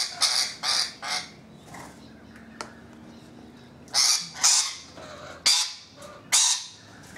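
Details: Rainbow lorikeets visiting a balcony, with more birds on the roof: loud, harsh squawks repeated in short bursts, three quick ones, then a pause and four more spaced about a second apart, over quiet background hiss.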